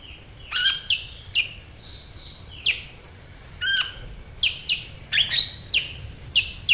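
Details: High sunbird chirps meant to prompt caged birds to sing: sharp notes at roughly half-second to one-second intervals, with a quick stuttered trill in the middle.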